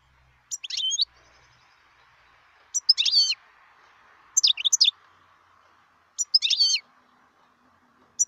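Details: Wild European goldfinch giving short, sharp twittering call phrases about every two seconds, over a soft, steady background hiss.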